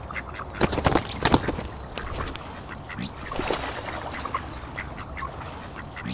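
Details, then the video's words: Mixed flock of Mandarin ducks, Pekin ducks and mallards feeding by a lake in a park; loud clustered quacks early, then softer overlapping calls and splashy noise. "Ducks Quacking - Mandarin Duck - Mallards - Pekin Ducks"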